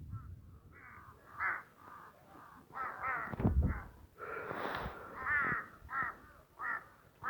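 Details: Crows in a forested Western Himalayan village of Tirthan Valley, with snow mountains and apple trees: a steady series of hoarse, harsh caws, about one or two a second, some overlapping, with low rumbling background noise.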